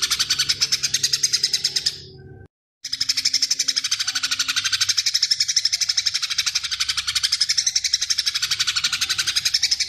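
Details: Cucak ijo, the greater green leafbird, in full 'tembakan' song with a long 'gereja' fill: shrill, fast, evenly pulsing chatter of high notes, broken once by a short pause, then running steadily on for seven seconds.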